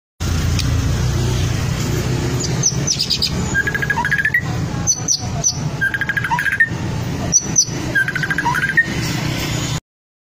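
A white-rumped shama repeats a ringtone-like phrase of quick, even notes about every two to three seconds, with sharp high whistles, over a steady low rumble of traffic.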